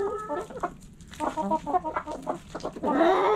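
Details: Backyard coop hens clucking in quick overlapping bursts, building to a loud, harsh drawn-out squawk at the close.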